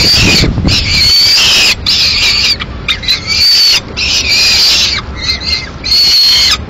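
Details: Madrid peregrine falcon chick, 22 May 2016, the only nestling, begging loudly while the female eats a swift delivered by the male; harsh, raspy high wails in long bursts, some tonal whines, faint low-frequency noise.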